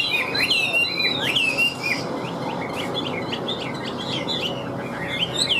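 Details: Chinese hwamei, a wild-caught cage bird, opening with rich swooping whistles, then breaking into quicker, shorter chirped notes that tumble in an uneven stream.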